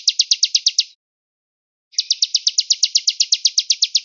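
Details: Velvet-fronted nuthatch, cigun gereja style with pauses, distant voice: a short burst of quick high chips, a one-second silence, then a longer trill of evenly spaced sharp notes at roughly three per second.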